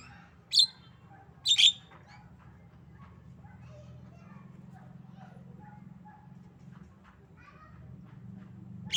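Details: Captive tame female Javan myna giving its coughing and laughing sounds: a single rasping burst, then a quick pair, then a long pause ending in one more harsh note, with faint background hum.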